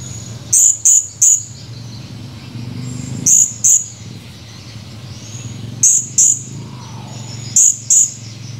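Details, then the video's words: Blue-crowned hanging parrot, a male, recorded 17 July 2020, uttering bursts of two or three rapid shrill squeaky chirps, the bursts repeating every two to three seconds, over steady low background hum. "Burung Serindit gacor, tinggal kenangan // Serindit birds chirping, only memories"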